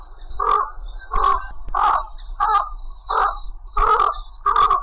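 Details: A white egret calls its flock with a steady run of seven rasping, throaty croaks, each short and harsh, repeated about every 0.7 seconds, with a thin continuous high whine behind them.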